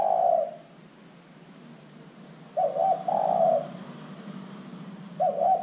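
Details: A spotted dove calls energetically as a lure for other birds. One coo ends as the clip opens, then a full phrase of clipped double notes swelling into a long soft coo, and another starts at the close, over light hiss.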